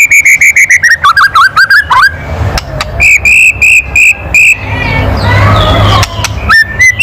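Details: Kretekan of a white-rumped shama, a loud call to provoke other birds: rapid identical whistled pips, then a falling warbled phrase, more spaced pips, and a stretch of rushing background noise.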